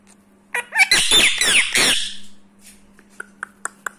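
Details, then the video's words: Seven-year-old rescued Indian ringneck parrot in India, talking while rubbing its beak: a loud, harsh, rasping stream of squawky chatter for about a second and a half, followed by quiet repeated clicks. "rubbing beak and talking bird"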